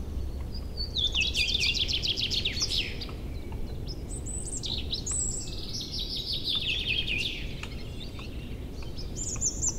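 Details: Chorus of newly arrived birds in an April forest and meadow in early spring, after the river ice breaks up. A rapid high trill sweeps down and back up, followed by sliding whistled phrases and a thin high ending, over a low rushing background.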